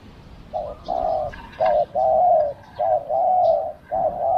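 Spotted dove giving soft, mellow coos in a steady phrase: a short note, then a longer drawn-out croon, repeated several times over faint background hiss.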